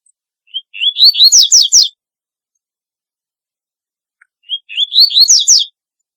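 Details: Double-collared seedeater repeating its distinctive song twice, roughly every four seconds: soft lead-in notes, then rapid rising whistles and a burst of high downward sweeps. The recording is otherwise quiet.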